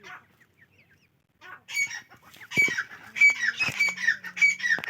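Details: Grey francolin calling: loud, harsh repeated phrases with a ringing whistled element sliding downward, given in bursts about every half second, with a low steady tone and other clicks in the background.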